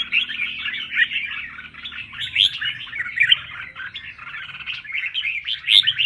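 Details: Red-whiskered bulbul practising contest song pours out a continuous, bubbling warble of quick chirps and slurred whistles, punctuated by several sharper high notes, with a faint hum underneath.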